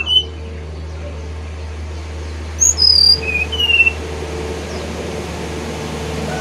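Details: Brown-chested jungle flycatcher with a brief phrase of thin, sliding whistles falling in pitch, heard once against a loud, steady background hiss and hum.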